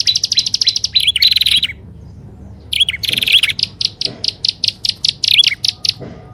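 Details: Combined prinia lure sound of prenjak alang-alang and upper and lower prenjak: buzzy high chattering bursts, a near-silent gap, then a run of evenly spaced sharp chips.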